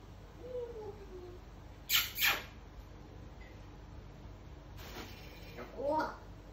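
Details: A pet African grey parrot learning to talk, prompted with Portuguese words, tries out speech-like sounds: a soft falling whistle, two short rasping bursts and a longer wavering phrase, in a quiet room.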